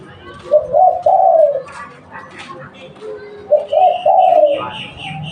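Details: Local spotted dove kept as a lure bird, cooing twice. Each phrase has a quick double note rising into a long, smooth, falling coo. Faint higher chirps and soft background noise follow.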